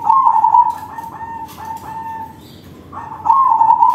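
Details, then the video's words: Zebra dove, a crossbred perkutut, singing loudly in manggung style as a lure for other perkutut. A rapid quavering coo gradually fades into softer sustained tones, then a loud trilled phrase returns near the end. "Perkutut crossing manggung suara besar || Suara perkutut crossing || Pancingan perkutut lain"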